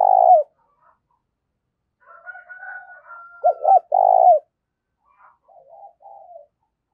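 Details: Spotted dove decoy bird goading rivals into a fight, thổ voice style. A long coo ending is followed by a thin steady whistle and soft murmurs. Two sharp hoots and a rolled coo come next, then quiet trailing notes.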